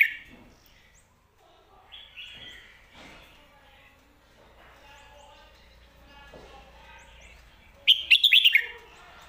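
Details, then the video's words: Red-whiskered bulbul, a competition bird in Thailand, performing lak wai and mae bot song styles; long stretch of faint mixed sounds, then a loud, fast burst of chattering, slurred whistles near the end. "ลากหวาย+แม่บท สลับวางเพลงชัดๆ นกแข่งอาชีพ #นกกรงหัวจุก"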